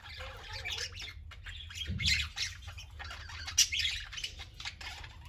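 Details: Group of pet parakeets, young and old, eating and playing; constant raspy chatter and squawks, a low thud near two seconds and a sharp click-like note later.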